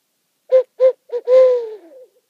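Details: Night in a meadow on Rattenbury Rd, two owls trading calls between a branch and a spruce tree: three clipped low hoots followed by one drawn-out, gently falling note, with no other sounds.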